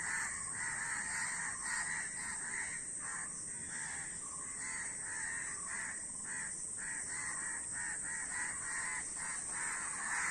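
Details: A large group of crows cawing continuously, rough calls stacked and overlapping at close to two per second, with an even high hiss behind them.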